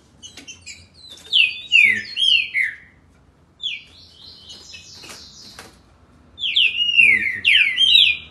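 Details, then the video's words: In Rio de Janeiro's Campinho, Jacarepaguá, a green-winged saltator sings rich downslurred whistles in quick bunches, a softer rising note in the middle pause, then a final energetic run of falling notes. "trinca ferro. o velocista."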